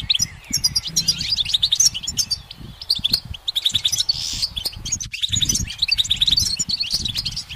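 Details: Sunlit goldfinch singing on a branch: quick bright twitters and jingling trills in steady flow, a short buzzy rasp near the middle, with faint low background noise.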